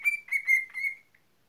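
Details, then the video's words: Cockatiel kept as a pet producing a short warbling whistle of a few pulsed notes on a steady pitch, fading out after about one second. "Mükemmel Islık-Sultan Papağanı"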